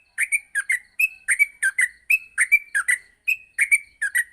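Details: Yellow-vented bulbul morning song, meant for teaching bulbuls rapid singing: paired short chirps alternating with clear level whistled notes, lively and evenly paced.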